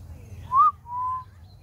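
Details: Grey diamond dove cooing: one brief upslurred whistle followed by a longer, level, soft tone, clean and pure, over a faint low background hum.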